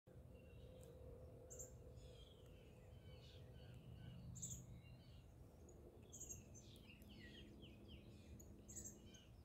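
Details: Indigo bunting singing at Admiral Trost Park on 14 June 23; faint, quick phrases of high, sweet notes, often paired and slurring downward, over a steady low rumble with sharp high chips from other birds.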